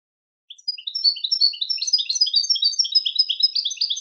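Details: Goldfinch song for teaching goldfinches: after a few soft opening chips comes an energetic, continuous twittering of mixed high and sliding notes lasting over three seconds. No background sounds.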